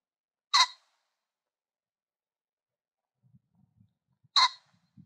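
A pheasant gives two loud, harsh, raspy calls about four seconds apart, each a brief grating burst, with faint low rustling between them.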